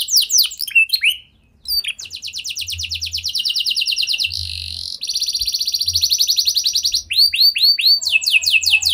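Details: Gacor canary singing a unique lure song for other canaries: quick swept whistles, a brief gap, then long rapid trills and a soft nasal phrase, ending with clear repeated downslurs.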